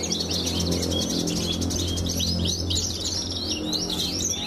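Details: Javan bush lark of the pied 'blorok' form, a prize-winning caged competition bird, giving fast buzzy trills followed by a string of rising chirps, with a loud low hum and background noise throughout.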